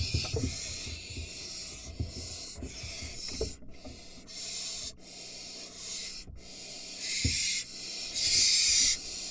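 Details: Barn owl nest with three nestlings as an adult arrives with a mouse: repeated harsh, breathy hissing bursts of one to two seconds, rising to a louder burst near the end, with knocks and scraping in the nest.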